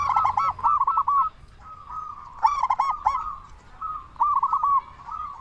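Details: Zebra dove, local type, singing hard as a lure to raise other zebra doves' breeding mood and make them answer: repeated bursts of stuttering, bell-like coos alternating with fast rolling runs of softer notes.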